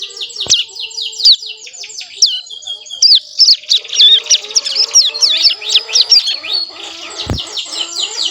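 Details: Young mountain prinia, about a month old, practising song (ngeriwik): loud, fast series of high chirps and slurred whistles in irregular bursts, a couple of sharp clicks, softer lower twitter underneath.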